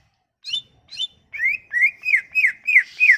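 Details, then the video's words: Sumatran leafbird song meant to draw leafbirds into singing: two buzzy high notes followed by a regular run of clear downslurred whistles, about three per second. "Kicauan ini MAMPU memikat cucak ijo MACET bunyi"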